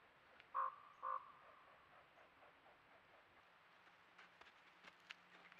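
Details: A Common Raven (Corvus corax) recorded by a trail cam in central Alberta calls: two short, hoarse croaks about half a second apart, then silence; faint clicks and a low steady hum follow.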